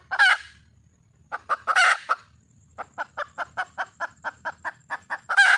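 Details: Red junglefowl hen seeking a mate: loud harsh squawks, then a long even series of about a dozen short clucks ending in another raspy squawk; faint steady high tone and low rumble behind.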